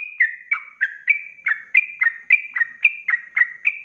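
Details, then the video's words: Lively ropelan song of a sooty-headed bulbul, offered as tutor song for caged songbirds: short whistled notes about three or four per second, alternating pitch in a bouncy, repeated pattern. "SUARA ROPELAN BURUNG TRUCUK GACOR"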